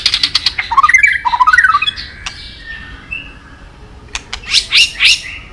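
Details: White-rumped shama in a long, many-voiced training song with tail-flick 'tach' calls. Quick descending whistled trills and scratchy notes come first, then a quiet pause, then loud buzzy chattering bursts.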